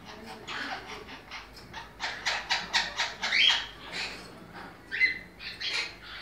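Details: Monk parakeets in a breeding setting, producing bursts of grating, scratchy squawks in irregular clusters, with brief thin squeaks mixed in.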